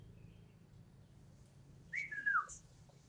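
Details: A single red-whiskered bulbul gives one short clear whistled phrase that rises, then slides downward, followed by a thin high note, over a steady low hum.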